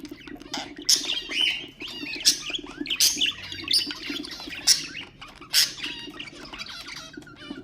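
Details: Budgerigar warble meant to stimulate other birds: busy twittering with wavering whistles and loud sharp chirps at uneven intervals, a low humming drone in the background.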